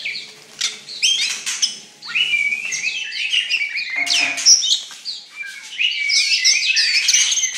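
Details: Oriental magpie-robin, described as a fierce songster, pouring out a varied stream of high whistles, warbles and harsh chattering notes in bursts separated by brief lulls.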